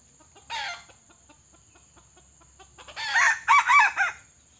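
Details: Decoy red junglefowl, a pale bird with white legs used to lure wild junglefowl into traps. A brief hoarse cluck and faint ticking lead to a loud crow of about four rough, arching phrases near the end.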